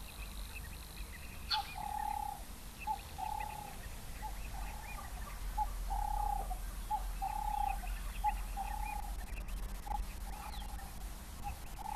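Double-banded sandgrouse giving repeated mellow, whistled notes, slightly slurred, in an uneven series about every second, over a low background rumble.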